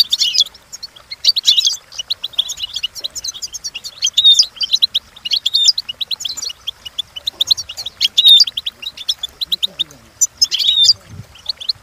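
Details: European goldfinch song used for training: a continuous, dense stream of rapid high twitters, trills and buzzy notes, with fast chirps repeated throughout.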